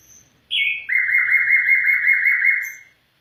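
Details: Afghan bulbul voice: a sharp high opening note, then a loud, sustained rolling warble lasting about two seconds before fading out.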